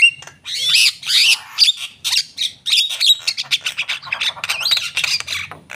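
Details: Energetic Javan myna song: a dense, fast stream of grating squawks, chattering notes and wheezy whistles delivered with barely a pause, with no other clear sounds.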